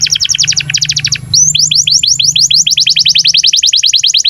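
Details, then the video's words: Breeding-condition canary song used to train young canaries: a fast stuttering run of bright double notes, then a long steady series of rising sweeps, about five per second, with a low hum underneath. "KENARI GACOR Cuit CUIT BIRAHI UNTUK PANCINGAN & MASTERAN Kenari PAUD AGAR BUNYI DAN NGEROL"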